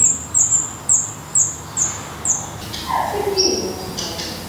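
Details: Black redstart calling at its nest in Portugal, giving six short, high, slightly falling notes spaced roughly half a second apart, followed by a few softer, lower rustling sounds.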